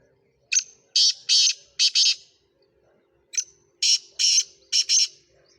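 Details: Two loud, clean calls of a Sindhi black francolin of the Speeder type offered for sale, each a sharp opening tick, two broad grating notes and a fast final double, separated by about a second of quiet.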